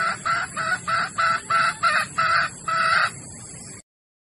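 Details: Sumatran red junglefowl hen in heat, a lure call for attracting males: about eight short, nasal, harmonic cackling notes in quick, slightly uneven succession, then the sound stops abruptly.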